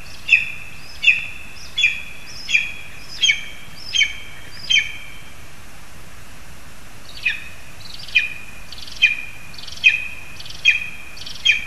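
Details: Lesser spotted eagles at a spruce in Zemgale, Latvia, with a frog for the young: a run of seven sharp, high yelps about 0.7 seconds apart, a two-second pause, then seven more, over even background hiss.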